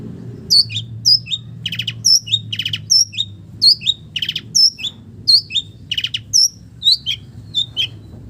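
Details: Long-tailed shrike song with village bird mimicry: paired phrases of a sharp whistled chip and a lower note, alternating with short harsh buzzy bursts, roughly every second.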